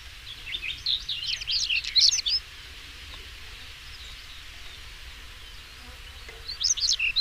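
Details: Song of a European stonechat, a dense rush of high, scratchy, jumbled notes for about two seconds, a quiet pause, then a fresh chattering burst starting at the end.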